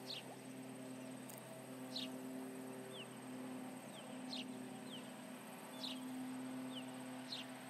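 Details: Osprey near its nest at Charlo, July 29, 2019, 11:30 am MDT, reacting to intruders: repeated high, sharp chirps sliding downward, roughly every one to two seconds, over a droning hum and light hiss.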